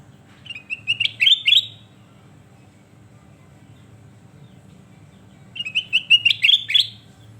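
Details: Sooty-headed bulbul (kutilang emas) singing actively: two short, bubbling whistled phrases about five seconds apart, each a fast rising string of liquid notes, with a soft steady hum beneath.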